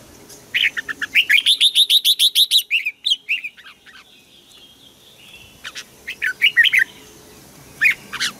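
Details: Bird singing in Thailand: a fast run of bright, evenly repeated chirps, then scattered sharp notes and a few high descending chirps after a pause.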